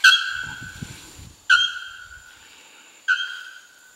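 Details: Bare-throated Bellbird, a young male, sings in Porto Seguro, Bahia state, north-east Brazil, November 2012; three clanging, bell-like strokes about one and a half seconds apart, each sharp-onset and slowly decaying, with faint low rumbling early on.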